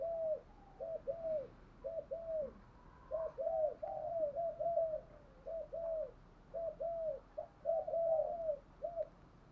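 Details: Spotted dove kept as a decoy bird, cooing in the 'thúc gù' style: a steady run of about a dozen short, arched, mid-pitched coos, each quickly following the last, over a faint constant background hiss.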